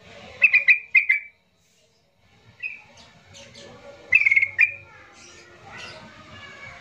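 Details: Yellow-vented bulbul in an agitated song used to provoke silent bulbuls into singing: two quick bursts of bright chattering notes, a pause, then a longer burst of bubbly notes followed by softer trailing chatter.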